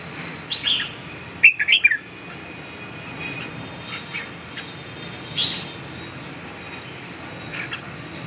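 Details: Red-whiskered bulbul producing a brisk run of loud, slurred whistled notes near the start, then long quiet stretches with faint thin notes and steady low hum.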